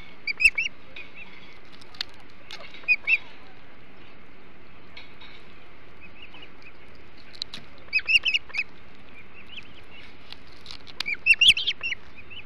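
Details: At a Hog Island osprey nest where the birds eat a large flounder, 21 July 2016 at 08:05; scattered short series of thin, sharp whistled chirps, densest near the start, middle and end, over a low constant hum.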